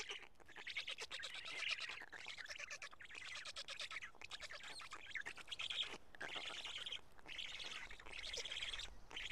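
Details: Black stork nest in Karula, midday on 31 May 2017, an adult having brought two big fish for the chicks; long stretches of rasping, buzzy chatter broken by brief silences every couple of seconds.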